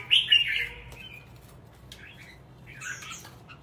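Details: Red-whiskered bulbul, a caged contest songbird in Vietnam, giving a short burst of loud warbled notes, then a pause with soft scattered chirps before another brief whistled phrase.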